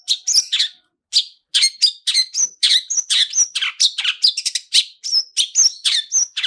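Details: Lure song of a long-tailed shrike (cendet) in rich "isian" style, used to set other birds singing: quick successive sharp notes mixing scratchy chatter with high whistled slurs, almost without pause.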